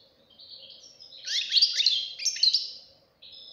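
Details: Young European goldfinch in full song: a quick, jumbled cascade of sharp tinkling notes and downward-slurred chips, building to a dense burst, then a brief high trill, with a low hum underneath.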